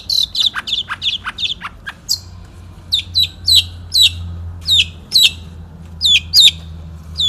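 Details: Long-tailed shrike, national champion, 'satu titik' style song from 2016: quick scratchy notes, then sharp high downslurred whistles repeated roughly every half second over a low hum.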